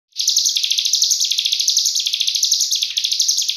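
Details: Cigun song recorded as a training master for other cage birds, rapid 'nembak rapat' style: a dense, unbroken high buzzy trill of fast repeated notes, steady and loud throughout.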